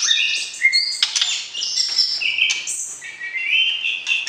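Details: White-rumped shama singing before breeding to stir the opposite sex: long clear whistled notes alternating with sharp clicks and slurred rising phrases, loud and continuous.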